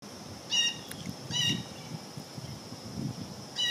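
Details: A blue jay eating peanut suet gives harsh, nasal jeers in short bursts, about one every second and a half, over a steady high hiss and a low background rumble.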